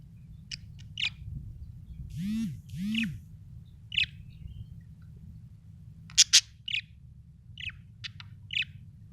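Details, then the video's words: Budgerigar chirping: short bright chirps scattered through the clip, two lower arched warbles near the middle, then a quick harsh burst and more chirps, over a low steady hum. "budgie chirping sound"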